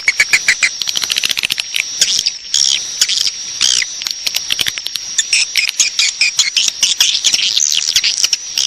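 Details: Swiftlet calls used to attract swiftlets to stay and roost, heard as busy overlapping high twittering and rasping chirps that grow denser later, all over a steady thin high tone.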